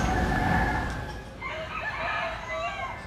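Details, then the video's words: Common hill myna in the Vietnamese Mekong Delta talking like a human: a few wavering, voice-like syllables rising and falling over a steady low rumble of background noise. "Nhồng Biết Nói Tiếng Người"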